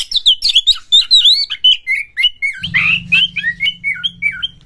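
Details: Oriental magpie-robin kept in a cage, song played to excite other magpie-robins into singing and fighting; a continuous run of sweet slurred whistles stepping downward in pitch, with a low steady hum joining midway.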